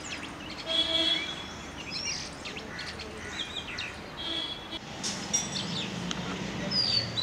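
An Oriental Magpie-Robin sings a quick, varied run of high clear whistles and short chirps over steady background hiss, with faint voices or music underneath.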